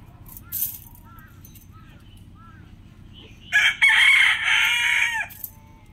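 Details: Rooster crowing among a compilation of different roosters: a loud, harsh, harmonic-rich crow lasting about two seconds near the end, preceded by faint chirps of small birds and a short distant call.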